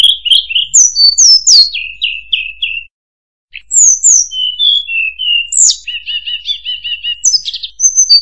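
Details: Lively song of a murai buluh (tledekan): steep high chirps fall into short whistled note series, a brief pause, then more varied warbles and a fast stuttering trill.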